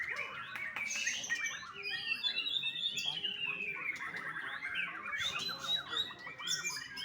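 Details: Caged young white-rumped shama from a Bali bird farm sings a high, rambling medley of thin whistles, slurred notes and rapid chirps.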